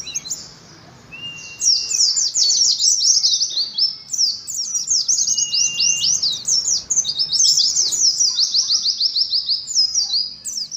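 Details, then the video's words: Caged Oriental white-eyes giving competitive ngalas song to strengthen colony birds: a short whistle, then long rapid runs of shrill sliding chirps, repeated in waves over ten seconds with a brief lower whistle. "TERAPI ADU NGALAS SAAT KOLONI PLECI"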